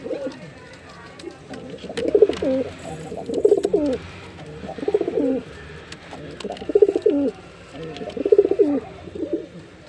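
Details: Performing male Jeera pigeon cooing in regular throaty bursts, about one phrase every one and a half seconds, each a rolling, pulsed low coo ending in a downward slur.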